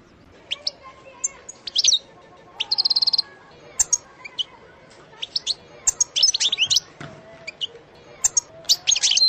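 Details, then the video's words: European goldfinch singing in the sersera style: scattered high twittering notes with gaps, a short buzzy rattle near the middle, then bursts of sharp tinkling chirps toward the end, over a quiet background. "اقوى حسون يسرسير بتغريد"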